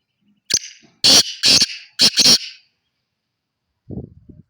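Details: Black francolin (kala teetar) giving a loud, harsh, grating call: a sharp click, then four rasping notes in quick rhythm, followed by a brief low murmur.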